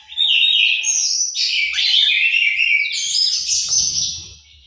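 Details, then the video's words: In an aviary in Malang, East Java, an orange-headed thrush pours out a continuous loud, dense warble of high whistles and rasping notes, fading at the end beneath a soft low rumble. "suara burung anis merah"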